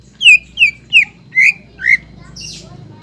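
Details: Greater green leafbird singing energetically, a lure for untrained leafbirds: five loud clear downslurred whistles about a third of a second apart, followed by a softer rough high note, with low hum in the background.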